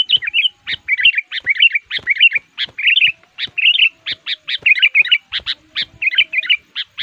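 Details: Sooty-headed bulbul, an agitated, actively singing lure bird used to draw wild males in the forest. Short bubbly warbled phrases repeat almost continuously, each a quick rolling cluster of high notes, separated by tiny gaps.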